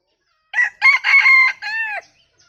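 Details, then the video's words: Crowing of a bantam rooster, likened to laughter: four clear, loud bursts in quick succession, the longest in the middle and the last one falling in pitch. The background is quiet. "ขันสัก9ดอกคล้ายเสียงหัวเราะ ไก่แจ้ ไก่ขัน"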